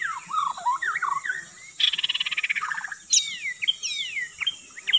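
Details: Lure sound of a white-rumped shama: looping whistled phrases, a rapid rattling trill, then clear downslurred whistles descending in sequence, with constant background hiss.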